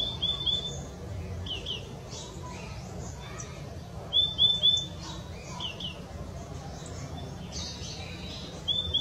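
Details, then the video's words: Purple-throated euphonia calling: short, thin, high notes given in quick pairs or triplets, heard near the start, around four seconds and again at the end, over steady low hiss and faint background chirps. "Purple throated Euphonia"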